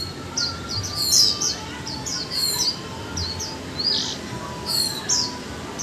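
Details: Caged Japanese white-eye, one month in the cage, singing lively high twittering phrases of short rising and falling squeaks grouped in small clusters, steady throughout.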